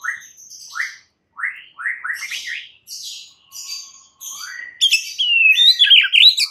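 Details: White-rumped shama song used as a lure for a stressed bird to burst into vigorous singing: repeated rising upslurred notes, then buzzier bursts and a loud, fast warbled flourish at the end.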